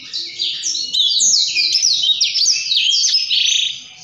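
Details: Continuous high warbling from a blackthroat in gacor, rolling ngerol song: tumbling slurred notes and rapid chattering runs that fade briefly near the end before a fresh note starts.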